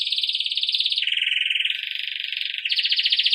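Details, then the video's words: Campainha song of a Belgian canary, played to train young birds: a continuous rattling trill that drops in pitch after one second and jumps back up near the end. "Canário belga campainha para treinar filhotes"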